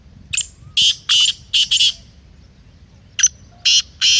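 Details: Grating, repeated call of a black francolin, played to stir a kept bird. A burst of five rough notes is followed after a pause by a second burst of four, with little other sound.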